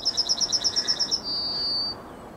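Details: Morning song of a Yellowhammer, recorded 9 May 2021: a rapid train of high, chipping notes repeated evenly for over a second, ending in one sustained, slightly falling whistle. Quiet background.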